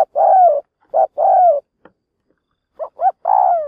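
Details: Decoy spotted dove calling to provoke wild doves toward a trap: low, mellow coos, several short rising notes and three long, drawn-out coos that slide downward at the end, irregularly spaced, with quiet gaps.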